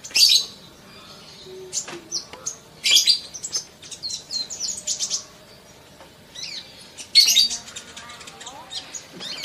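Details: Sunbird tutor recording for quick singing: loud bursts of very high, sharp chirps and twittering notes separated by quieter stretches of scattered thin ticks, with faint lower sounds.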